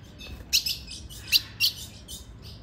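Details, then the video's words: A female ultramarine grosbeak calls to excite a male in the late afternoon, giving a short burst of four or five thin, sharp, high chips close together. "Essa Fêmia vai deixar seu azulão louco com esse piado e chamo"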